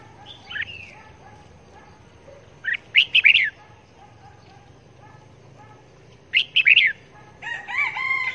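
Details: Red-whiskered bulbul kept as a caged decoy bird for trapping, calling wherever it is hung: short, bright, warbled bursts of quick rising and falling notes, spaced a few seconds apart. A harmonic, crow-like call comes near the end over a low background hum.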